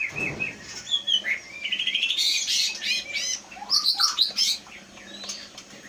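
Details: Wild-caught white-rumped shama from Leuser, Aceh, taken from the forest as a fledgling in 2016 and kept caged since 2018, noted for mimicking surrounding sounds; varied high whistles, rapid trills and sharp chattering notes in a rich, shifting phrase.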